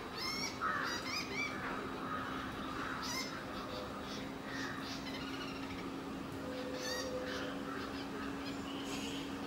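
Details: Rufous woodpecker feeding on insects gives harsh, nasal calls in short rapid bursts, pausing between runs, over a steady droning hum and faint background birds.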